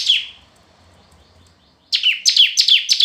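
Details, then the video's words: Red-whiskered bulbul in competitive singing: a single falling whistle, a quiet stretch with faint low noise, then a fast run of descending whistled notes. "Chào Mào Hót Đấu"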